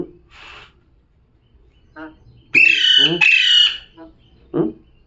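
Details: A talking parrot lets out two loud raspy squawks close together, framed by softer, lower chattering sounds before and after.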